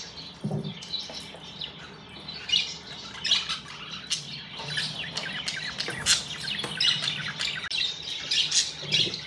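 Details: Several happy budgies chatter together in a busy stream of high, rasping chirps, squeaks and occasional harsher squawks. The bursts rise and fall irregularly throughout, with a few low thumps in the background.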